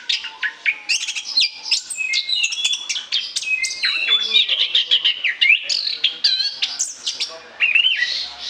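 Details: Orange-headed thrush singing loudly and nonstop as a lure bird: extended torrent of rising and falling whistles, harsh chatters and rapid note strings over many seconds.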